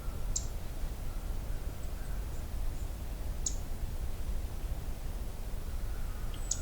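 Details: Black-throated Green Warbler, male, scolding at midday in mid-May 2023 at Johnston Harbour: three sharp, high ticks about three seconds apart over a steady low rumble; Magnolia warbler also present.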